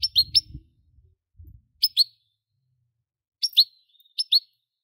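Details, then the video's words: European goldfinch singing in short clusters of two or three bright, clipped chirps repeated after pauses, with brief low rumbling at the start. "Most sweet goldfinch singing | Goldfinch singing"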